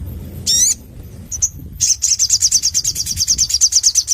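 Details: Crimson sunbird singing loudly in a lively, full-voiced style, a hissing buzz then a fast, very high, thin trill of rapid repeated notes.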